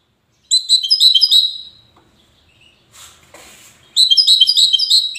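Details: Goldfinch recorded in Safi, Morocco: a rapid twittering phrase, a pause with faint rustling, then another fast tinkling burst of high chirps starting.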